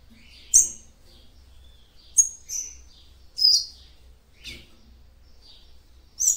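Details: Female seedeater calling to stimulate a male: separate high, sharp, slightly descending chirps every second or so, some paired, with soft buzzy notes between and low background hum.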